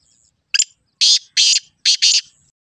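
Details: Black francolin call, a brief sharp opening note and then four loud, rasping, buzzy bursts arranged in two pairs, with nothing else heard.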